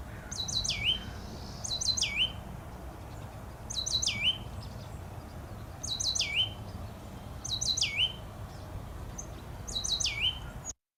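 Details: Oak titmouse (Baeolophus inornatus) song, a species of warm dry oak woods in California and Baja California: quick high thin notes dropping into a lower whistled phrase, repeated about every two seconds over soft hiss.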